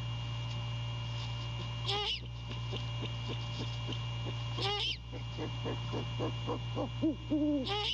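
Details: Great horned owl, male, calling to his mate at the nest in the early morning darkness of January 15, 2022. Two low hoots arrive near the end, after raspy bursts, over a steady pulsing chorus and hum.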